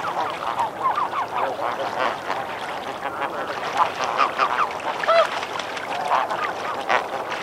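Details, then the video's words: A snow goose flock, recorded at medium close range, splashes and calls in water: a dense chorus of many overlapping nasal honks and yelps, with splashing water beneath. "Snow Goose. MCU Splashing And Calling In Water"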